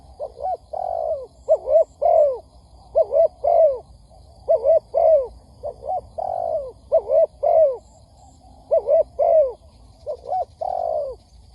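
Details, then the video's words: Cooing spotted dove from a lure recording for trapping. Steady series of soft, low two-note coos answered by longer sliding coos, about eight phrases in rhythmic succession with brief pauses between. "Tiếng Chim Cu Gáy kích bổi nhanh nổi"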